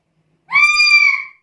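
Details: Vocal black-capped lory, kept as a tutoring and lure sound for other birds, uttering one drawn-out, steady, nasal screech lasting nearly a second against a silent background.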